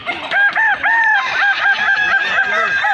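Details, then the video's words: Loud close crowing of Balenggek chickens at a festival in Kota Solok: a rooster's crow steps through a chain of short arched notes, roughly two per second, with other crowing birds overlapping behind. "festival ayam kukuak balenggek"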